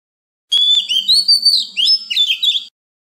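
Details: {'caption': 'Oriental magpie-robin with a wild-type song used for training young birds and urging wild-caught birds to sing: a steady rising whistle opens a busy two-second series of warbled, swooping notes.'}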